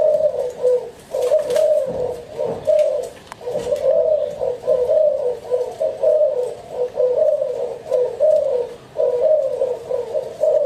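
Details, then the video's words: Spotted dove cooing: low, soft, hollow coo phrases repeated steadily with short gaps, each a cluster of throaty notes, continuing through the recording over a faint background hiss. "Spotted Dove Cooing"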